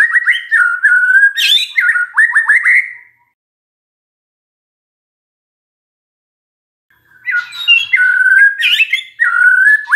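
A magpie-robin sings loud, varied phrases of clear whistles mixed with harsh squawks and fast chattering notes, in two bursts separated by about four seconds of silence.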